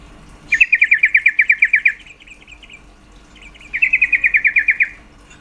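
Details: Two rattling series of quick, down-slurred notes, each about a second long, from a female yellow-vented bulbul calling to stimulate males' mating drive, separated by a short pause with faint trailing notes.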